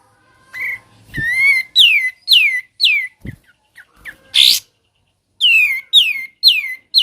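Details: Sooty-headed bulbul, ngebren song: soft opening notes, then loud falling whistles roughly every half second, a harsh rasping burst, a short pause, and another run of descending whistled notes.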